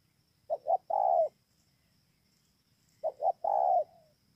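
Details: Spotted dove recorded at Bờ Y, Kon Tum province, Vietnam, on 28 November 2017, giving two cooing phrases: two clipped notes then a drawn-out, slightly falling coo, against a quiet background.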